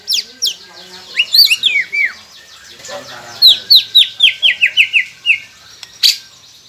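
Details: Captive-bird training song of the white-rumped shama: varied sharp notes, then a run of about ten quick downslurred whistles in rapid succession, with a faint continuous chirping chorus underneath.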